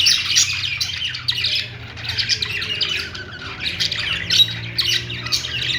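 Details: Kept budgerigars singing: continuous, dense, chattering warble of scratchy chirps and squawky notes, with brighter bursts near the start, middle and end; a low steady hum sits in the background.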